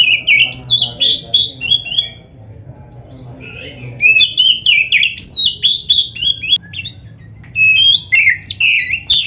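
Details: Oriental magpie-robin song played to train caged birds, full of varied phrases: almost continuous high, rapid whistles, slurred sweeps and chattering notes in dense bursts, with only short breaks.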